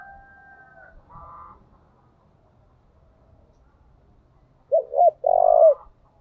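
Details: Spotted dove used as a decoy, calling: two short arched coos followed at once by a longer, throaty drawn-out coo near the end, after a steady whistled tone and a brief buzzy note at the start.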